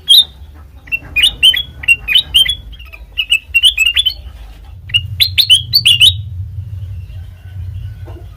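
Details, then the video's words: Black-crested bulbul, a trapping lure: bursts of sharp, high chirps in irregular clusters over about six seconds, then only a steady low rumble. "Suara Asli Kutilang Emas Pancingan Pikat Masteran"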